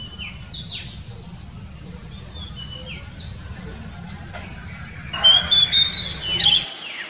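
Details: Oriental magpie-robin singing in the wild: faint, distant downward-slurred whistles at first over low rumble, then a sudden louder burst of rapid, pulsed whistled notes.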